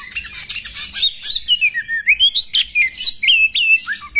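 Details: Female Oriental magpie-robin whose calls are said to make a male quickly agitated, spreading its tail and fighting: a busy stream of whistled slurs, rising and falling, mixed with scratchy chatter.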